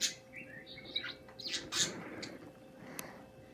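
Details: Budgerigars chirping in a small room: rapid warbled chatter with short whistled notes and scratchy bursts, loudest in the first two seconds, then quieter with one sharp click.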